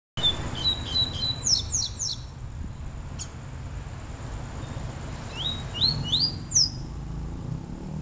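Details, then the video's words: Double-collared seedeater song, from a comparison of the Peteleco and Desejo song styles: high, sharp rising and falling whistled notes in quick clusters, a brief pause, then another run of upslurred notes over low background rumble. "Papa Capim Peteleco Vs Papa Capim Desejo"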